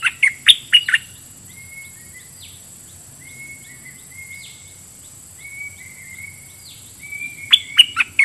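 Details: Caged red-whiskered bulbul used as a decoy, singing at wild birds in a double-phrase song style: a burst of loud, sharp chirping notes opens and closes the stretch, with a faint steady whistle-like tone and quiet background between.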